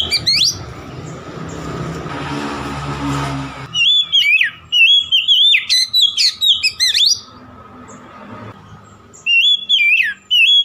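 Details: Oriental magpie-robin singing to goad a rival bird. A brief rustling noise opens, then two bursts of fast, varied whistled notes with squeaky high flourishes, separated by a short pause.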